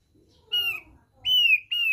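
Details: Kicau dasar, the basic song, of a Thick-billed white-eye from NTT, Indonesia: one whistled note, a brief gap, then two longer pure whistles that ease gently downward in pitch, with faint low background rumble.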